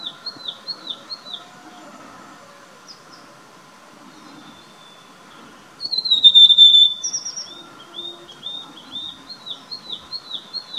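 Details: Rufous sibia in India gives a quick series of short, high, slurred whistled notes, with a louder burst of clear whistles midway; a steady low hum underneath.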